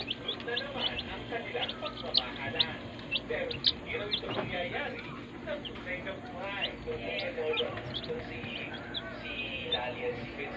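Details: Day-old baby chicks in a brooder make a dense, unbroken chorus of shrill peeps. The notes are sharp, wavering and slightly bent as many birds call over one another.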